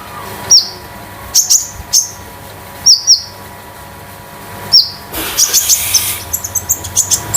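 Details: Konin in a cage at home, singing a metallic, loose, spotted tutor and lure song. Several separate sharp high chirps are followed by a rushing hiss and a quick run of short high notes at the end.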